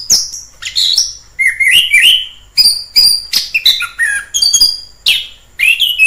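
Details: In the wild, an orange-headed thrush pours out a varied song of clear whistles, scratchy chatter and slurred notes, phrases changing pitch every half second or so.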